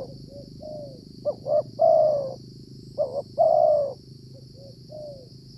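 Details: Cooing phrases of a wild tekukur, or spotted dove, heard while trapping with a decoy in cold rainy weather. Soft short notes lead into a long rich coo, twice, then fainter short coos, over a constant high whine and low background noise.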